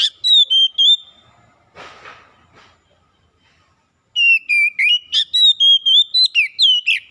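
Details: Oriental magpie-robin song played as a lure to get a reluctant bird singing: quick whistled notes, a scratchy rustling pause, then a long lively string of level and swooping whistles.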